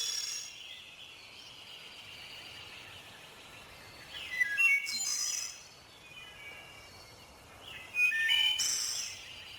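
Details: A Wood Thrush sings in the Ozark forest during the spring dawn chorus. It gives two clear, flute-like phrases about three seconds apart, each a quick run of ringing high notes, over a soft background hiss.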